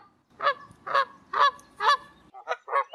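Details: A wild Canada goose in flight high above Canada gives four evenly spaced, loud honks about half a second apart, followed by a quicker cluster of shorter, softer honks.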